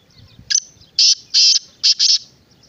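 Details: Black francolin (kala teetar) calling: a rasping phrase of five harsh, scratchy notes, a short opener then longer grating bursts with a paired ending, in a quiet rural setting.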